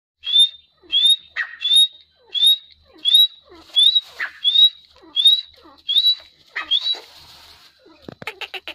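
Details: Grey francolin giving a series of clear, high, rising whistled notes, each sliding upward and repeated about every 0.6 seconds, with a few softer harsh chirps between them; a short burst of clicking noise comes at the end.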